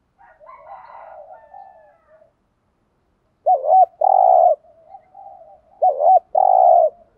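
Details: Spotted dove urging coo (thúc gù) for luring wild doves: faint warbling coos first, then two loud pairs, each a wavering hooked note followed by a long, throbbing, burry coo.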